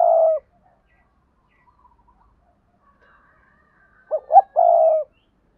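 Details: Decoy spotted dove from Đồng Nai, Vietnam, calling in a 'double voice' style to provoke wild doves: a brief low coo at the start, a quiet gap, then a crisp two short notes and one drawn-out hollow coo.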